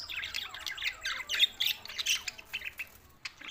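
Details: Budgies recorded June 7, 2024 in Larkana, Sindh, chattering in rapid twittering phrases with squawky notes, louder mid-clip and fading toward the end.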